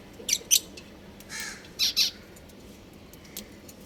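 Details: Pet budgerigars at home while playing: a few scratchy, squawking notes, two quick pairs of harsh chirps and a raspy call between them, against faint indoor hum.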